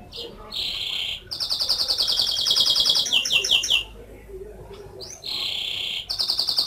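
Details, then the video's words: Canary singing indoors: loud, rich song of steady whistled tones near the high register alternating with rapid pulsed trills and rolling phrases, with brief pauses between bursts. "Beautiful whistling of canary"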